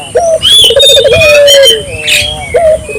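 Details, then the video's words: Barbary dove calling with vigour, used as a lure for local doves: a short rising hoot, then a warbling rolled run into a long smooth falling coo, ending in another brief hoot; chirping birds above. "suara burung puter gacor,merangsang burung puter lokal ikut gacor"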